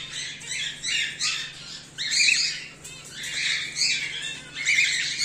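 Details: Home-bred cockatiels, including whiteface emerald and an exhibition grey male, give harsh, raspy squawks in broad bursts, roughly one every two seconds with short gaps, over a faint steady low hum indoors.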